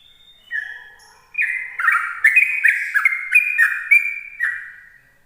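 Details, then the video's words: Sooty-headed bulbul singing in the morning in the ropel style, used to lure other bulbuls: a brief high whistle, then a rapid run of liquid, slurred whistled notes that rise and fall in quick, overlapping phrases. "Suara Trucukan Ropel pagi"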